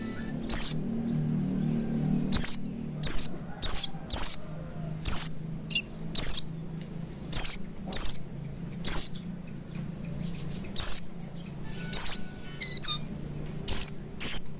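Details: Lure recording of Oriental white-eye to make birds sing quickly: a long, uneven series of about seventeen sharp, downward-sliding chirps with a few softer twittery notes mixed in, over a faint low hum.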